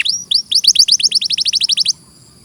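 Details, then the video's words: Canary singing a crisp trill of rapid downward-curving whistled notes, speeding then holding steady for under two seconds before stopping into near silence. "Masteran suara burung KENARI"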